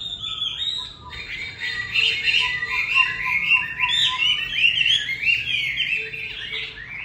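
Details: Chinese hwamei, a kept bird about to go to a new owner, singing a loud, rich, continuous warble of rapidly changing whistled and slurred phrases. A faint, steady lower whistle runs beneath it at times.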